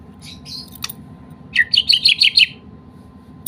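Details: Medan-type white-rumped shama, a kept bird, singing with material borrowed from the kapas tembak; a few faint notes, then a fast run of about eight bright, repeated chips over a steady low hum indoors.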